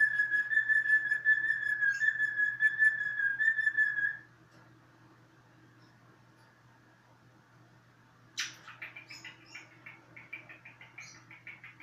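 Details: Cockatiel's long, pure, steady whistle lasts about four seconds. After a quiet gap, a sharp burst leads into scratchy, rapid chirping. A faint low hum is audible.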